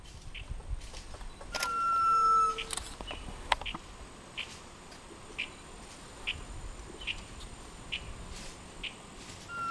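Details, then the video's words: Sunbittern calling: one long, clear, slightly falling whistle held for about a second, then a brief lower tone, over faint scattered chirps and clicks from the surrounding forest. "Sunbittern calling"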